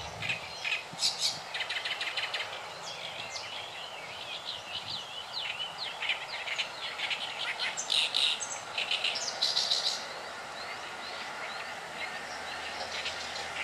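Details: Oriental reed warbler singing in May 2012 at the Saitama primrose park, Japan: harsh, chattering phrases of repeated clicks and broadband notes, bursts rising and falling in loudness, with steady background hiss.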